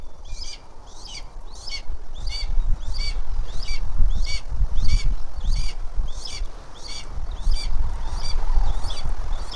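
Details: Red-tailed hawk nest in Tennessee with a rare leucistic female and a newly hatched chick near feeding time. Thin, high notes repeat in a quick, uneven series, partly masked by heavy buffeting wind.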